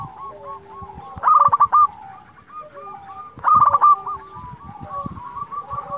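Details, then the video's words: Energetic zebra dove of local stock calling to provoke competing doves: two loud clusters of fast, bubbling coo notes a few seconds apart, with softer cooing from many other doves throughout. "Perkutut lokal gacor Sekali Putar Lawan Pasti Emosi Langsung Nyaut"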